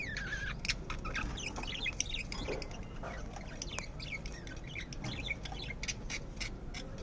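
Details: Pet lovebird giving a burst of shrill, rapid chirps and squeaks over the first few seconds, then scattered sharp ticks and clicks, with a steady low background hum.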